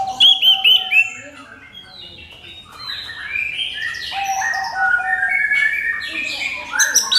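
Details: Orange-headed thrush singing clear lure song to provoke other birds into song: sharp loud high notes at the start, a quieter pause, then a long run of varied whistled and trilled phrases.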